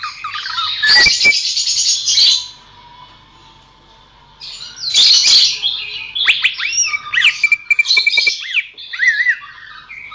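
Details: Greater green leafbird song intended for training songbirds: bursts of loud chattering and scratchy notes separated by a quiet gap, followed by looping whistles and a long steady whistled note.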